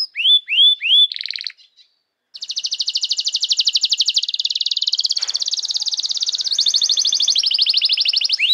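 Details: Canary song used to tutor young canaries and to coax silent ones into singing: three swooping whistles, a brief pause, then a long fast rattling trill that shifts pitch midway and ends in a rising whistle.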